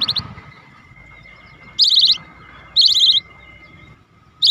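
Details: Cinereous tit, local gelatik batu of the wingko type, singing as a lure to prompt lazy birds to sing: three short, high rattling chirp bursts about a second apart over a faint steady tone and low rumble.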